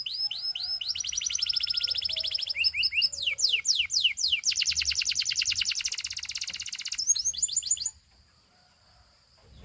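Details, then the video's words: Canary of the Russian singing type: fast rolled trills and falling whistled slurs in several quick tours, a long buzzing trill, then the song stops abruptly, leaving quiet. "A Special Canary to Seduce All The Canaries - The Russian Singing Canary"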